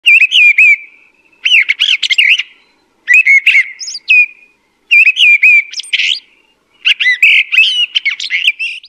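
A mistle thrush sings five loud, fluty phrases of mixed whistled notes, each about a second long, separated by short pauses. No other sounds are heard.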